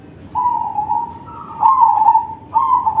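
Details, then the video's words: Zebra dove of crossing stock in full song, meant to draw out other doves: a steady trilled coo opens, then a louder, slightly higher rolling phrase follows, and another begins at the end. "Perkutut crossing manggung suara besar || Suara perkutut crossing || Pancingan perkutut lain"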